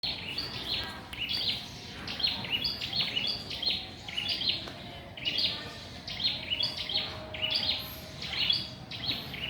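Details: Small loud bird singing in a mango tree, a recording meant for training songbirds: high, chattering phrases repeated roughly every second, each a quick burst of sharp notes, with steady background hiss.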